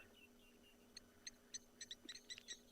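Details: At a waterhole in Tswalu Kalahari Reserve, South Africa, at sunrise on 23 June 2020, a blacksmith lapwing becoming very active gives sharp, metallic 'dink' notes, about eight in quick irregular succession, like a hammer striking an anvil.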